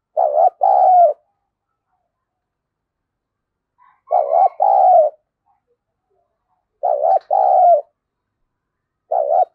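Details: Decoy spotted dove of the thổ voice style, used to lure wild doves, gives three loud two-part coo phrases about three seconds apart, each a short note then a longer mellow coo, with silence between and another starting at the end.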